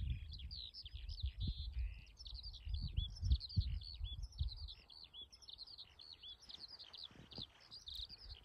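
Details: A lone skylark delivers an unbroken, rapid torrent of high chirps, trills and slurred whistles, varied and tumbling; gusty low wind noise is heard in the first half.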